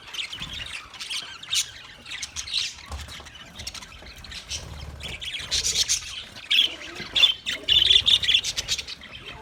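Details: Budgies chattering for a lonely bird: scattered sharp squawks and buzzy chirps, sparse at first, then building into a quick run of bright, rasping notes toward the end.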